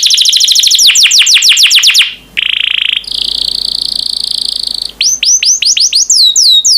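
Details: Yellow canary in song: a fast run of descending whistled notes, a short buzzy rattle, a high even trill lasting two seconds, then swooping whistles repeated in quick succession.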